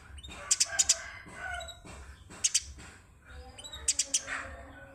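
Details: Eurasian tree sparrow singing, kept as a master song for teaching other songbirds: clusters of three or four piercing high chirps separated by pauses of about a second and a half, with soft low background rumble.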